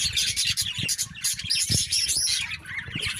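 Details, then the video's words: Loud chorus of birds fighting: overlapping harsh, high chirps and squeals without pause, with low thuds and flapping underneath. "Loud noises and constant fighting between birds"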